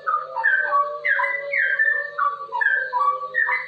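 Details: Straw-headed bulbul singing rapid ropel-style song meant for tutoring and coaxing other bulbuls into song; bright, mellow whistled notes sliding downward in short tumbling phrases, almost without pause, over a faint constant low hum.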